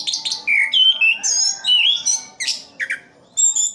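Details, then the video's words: Orange-headed thrush from Sidoarjo, East Java, singing in captivity: a sequence of sweet, wavering whistles and squeaky chirps in short phrases, with a low background hum. "Anis kembang "Anti Gempa". Rooll full"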